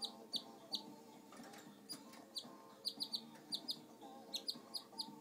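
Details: Household pet canary giving thin, high chirps, single and in quick clusters, repeated through the recording against constant low room noise.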